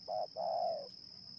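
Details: Spotted dove cooing while wild doves are lured in Indonesia: one short coo then a single long, smooth, slightly falling coo, over a steady high insect whine.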